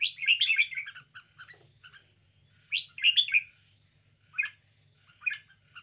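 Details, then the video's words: Red-whiskered bulbul showing lively, spirited behaviour, singing rich warbled whistled phrases in separate bursts about a second or two apart, each a quick jumble of bright notes. "นกกรงหัวจุก 90 chao mao. bulbul birds. red-whiskered. cambul."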